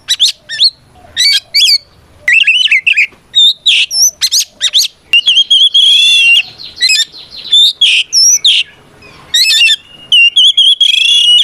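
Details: Oriental magpie-robin in full song, used as a fighting song to provoke rival birds into answering: loud, varied whistled phrases with sharp rising and falling notes, short chirps and harsh buzzy bursts, delivered in quick bouts with brief pauses.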